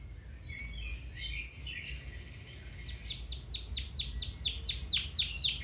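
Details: Domestic canary singing to encourage another canary to sing: soft twitters, then a loud, regular roll of about four descending swept notes per second, sustained to the end.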